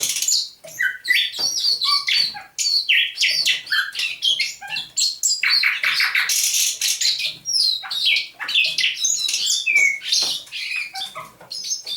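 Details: Captive thrush nightingale, caught near St Petersburg in May 2019, singing at dawn on 27 November 2021: loud, varied phrases of sharp whistles and clicks, with a dry, buzzy rattle in the middle.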